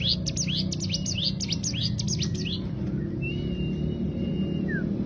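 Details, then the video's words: Cigun bird, 'tembakan' style training song: a quick burst of bright descending chirps for about two seconds, then quieter thin drawn-out whistles and a short downward slur, with low hum throughout. "Tembakan burung cigun untuk masteran terbaik"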